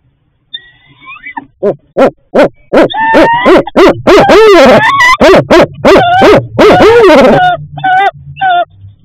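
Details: Female barred owl on her nest at night calling for food from her mate: loud, rapid series of harsh hooting barks, about three per second, mixed with whining, rising harmonic notes.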